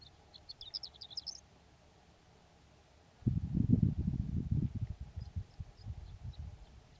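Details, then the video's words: Horned lark song on Antelope Island on a warm sunny spring day, with many larks singing nearby: a fast, high, tinkling jumble of notes climbing in pitch for about a second, then heavy wind buffeting and faint distant twitters. "Singing Horned Lark"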